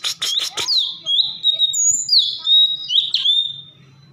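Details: Bulbul called cucak cungkok singing vigorously: a few quick scratchy notes, then long clear whistles holding steady or sliding between pitches, broken by a sharp chip near the end.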